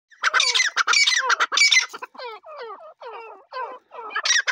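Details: Pair of grey partridges (teetar) calling: loud, harsh, rapidly repeated squawking notes for two seconds, then softer descending hoarse notes in short bursts, with a loud burst returning at the end.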